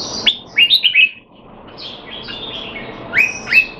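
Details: Caged red-whiskered bulbul in Singapore, kept in training to stay sharp though not in top form, recorded 25 December 2020: a quick run of bright whistled notes, each hooking sharply downward, then a pause and two more clear swept notes.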